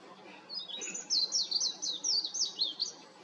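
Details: Warbling white-eye singing on a utility wire, a lively chattering stream of high, tumbling whistled notes running steadily for over two seconds after a soft start.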